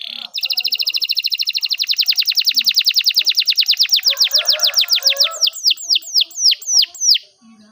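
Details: A canary delivers a sustained rapid trill, dozens of evenly spaced notes that slow into distinct falling chirps, with faint softer background chatter, from a long training song for young canaries.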